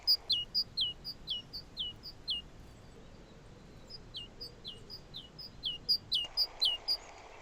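Great tit giving bright, high two-note phrases, 'tea-cher, tea-cher', repeated about twice a second in two bursts with a short pause between.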